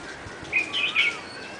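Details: Bulbul singing a brief phrase of three bright, warbled whistled notes close together, with faint background hiss.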